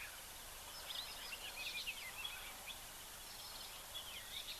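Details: Red-faced mousebirds, cooperative breeders usually in family units, at an African waterhole on 13 June 2024, give thin, high whistled notes in two loose bursts, one near the start and one near the end, over a steady outdoor hiss.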